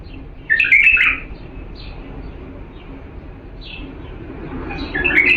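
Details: Original Diyala bulbul singing, played to teach young birds: a loud warbled phrase near the start and another at the end, with soft high chirps between over a faint low background hum.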